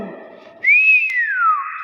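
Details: Nias hill myna in its own voice, giving one long pure whistle that rises, arches and falls smoothly, after low murmuring room sound.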